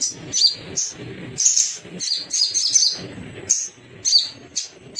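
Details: Little spiderhunter, a male, singing in a lure recording meant to prompt other birds to sing: sharp, high chirps and short squeaky bursts in quick irregular clusters, with a faint low rumble between notes.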